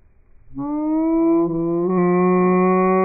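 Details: Male New Zealand falcon call, slowed down into a deep, steady, droning tone holding over two seconds and stepping slightly higher near the end.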